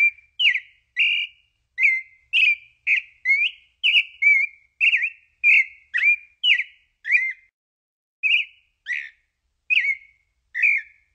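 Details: Pale-breasted thrush (Turdus amaurochalinus) song: rapid chain of short whistled and slurred notes, varied in contour, about two per second at first, then sparser after a brief gap near eight seconds; nothing else audible.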